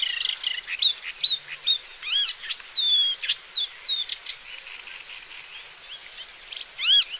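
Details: Paddyfield warbler (Acrocephalus agricola) of Central and Southeast Asia singing a lively, varied chatter: rapid high clicks, buzzy notes and repeated down-slurred whistles strung together in uneven bursts, background otherwise quiet.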